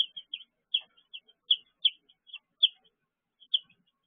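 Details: A brooder of baby chicks at 6 pm, 19 June 2023; loud clear high peeps, about one every half second to second, each a short downward slurred note.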